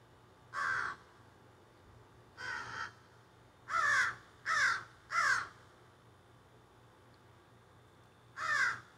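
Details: Flock of crows squawking in trees behind a garden, filmed on a phone: scattered harsh caws, a quick run of three around four to five seconds, others isolated, over quiet hum.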